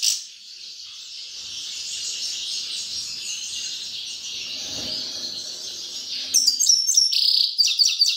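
Grey-crowned goldfinch singing a fast, dense, high twittering run of notes, ending in a few clearer, separate chirps.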